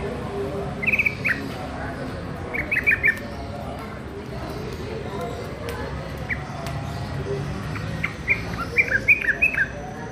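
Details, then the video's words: Young yellow-vented bulbul practising its chattering gacor song: scattered bursts of quick, bright whistled notes separated by pauses, over a dense background hiss. "TRUCUK MUDA BELAJAR BUNYI GACOR"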